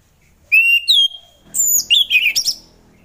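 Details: Orange-headed thrush, a bird used as a morning lure for thrushes reluctant to sing, giving clear whistled phrases held near one pitch, then a quick run of higher sliding, twisting notes in short bursts.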